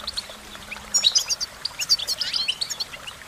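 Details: A goldfinch pours out a lively jumble of high chirps and twitters that becomes louder and denser after the first second. A faint low hum is heard early on.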